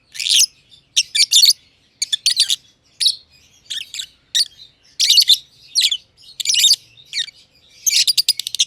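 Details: Two lovebirds, a green personata under a year old and a green pied personata, chirping together in an aviary; sharp, high, rasping chirps in quick bursts and rapid trills, repeated irregularly with short pauses, no other sounds.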